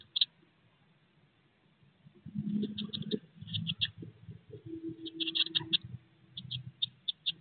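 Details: Eurasian blue tit chicks, 16 days old, in a nest box shortly before leaving it: short high thin cheeps in scattered bursts over low muffled rustling and shuffling inside the box.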